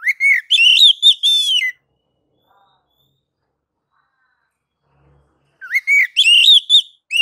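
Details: Oriental magpie-robin ngeplong song: rising whistled notes with buzzy, trilled ends, given in two separate bursts with nearly four seconds of silence between them.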